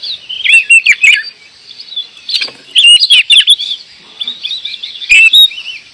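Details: Oriental magpie-robin in gacor singing: bursts of quick whistled and warbled phrases separated by short pauses, with percussive clicks under the louder bursts.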